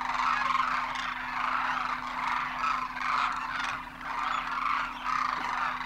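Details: Demoiselle cranes, or Koonj, flocking at a Khichan water hole in Rajasthan during winter migration; waves of overlapping rolling calls swell and fade every second or so above a steady low hum.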